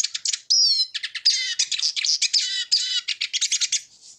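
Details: Eurasian siskin singing a hurried medley of high chirps, a drawn-out wheezy buzz and dense chattering trills, the notes packed closely with only tiny gaps between them.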